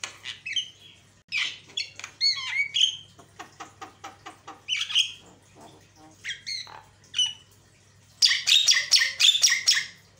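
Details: Javan myna lure song to provoke rival mynas: a varied, noisy jumble of harsh squawks, whistled bends and rapid clicks in bursts, ending with a dense rasping chatter.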